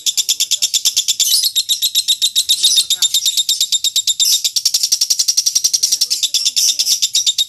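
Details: Lovebird singing in a contest-winning style used for training caged birds, a long fast chattering trill of rapid high notes, about three per second bursts merging into a continuous rattling stream, sharp and metallic throughout.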